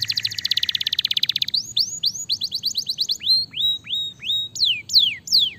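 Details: Canary song used as a lure to get a silent canary singing: a buzzy, rapidly pulsed rattle opening the phrase, followed by a string of rising whistled notes and a few sharp downward-sweeping notes.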